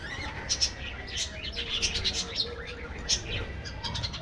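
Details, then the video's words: Aviary colony of budgerigars producing busy overlapping chirps and warbling twitters, dense bursts in the middle, several birds calling at once above a low background hum. "parrots,parrot,talking | budgies bird"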